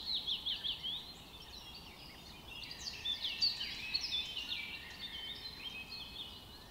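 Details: A Pink-browed Rosefinch in Himachal Pradesh, India, gives quick, thin, high chirps in short bursts, some twittering and sliding, against a soft background hiss.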